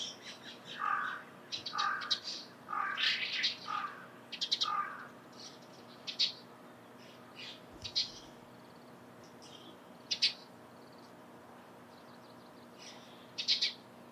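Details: Eurasian tree sparrow in the morning giving short, bright chirps about once a second, then scattered sharper chirps, with a faint steady hum behind.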